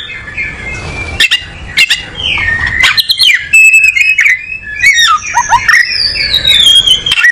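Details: Oriental magpie-robin, a songbird of tropical South Asia, singing a varied run of loud whistled phrases, sliding and rising notes mixed with sharp clicking strokes and brief pauses.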